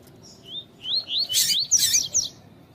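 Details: A Rusty-collared seedeater (coleiro tui tui) gives quick, high, sweet slurred whistles and rising-falling bursts with harsher buzzy chips over a faint hum. The recording combines song with female calls, used to train and excite males.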